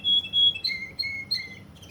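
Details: Short burst of Russian canary song from Kuwait: two held high whistles, then alternating high and lower whistled notes with a sweet, pure quality.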